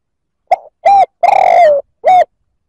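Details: Spotted dove cooing to provoke other males: a short soft note, then a clear mid-pitched coo, a long drawn-out purring coo that slides downward, and a final short coo. The background is quiet.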